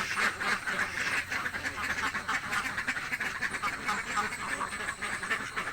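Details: Hungry ducks in a village quack in a dense, overlapping chorus, harsh nasal calls tumbling over each other about four times a second with no pause.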